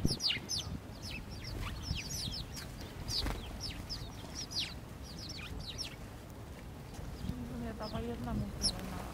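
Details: Fearless urban house sparrows, Gdynia, Poland, October 2022. Dense, rapid chattering chirps, high and slurred downward, several birds overlapping, with a lower droning tone entering near the end over city background noise.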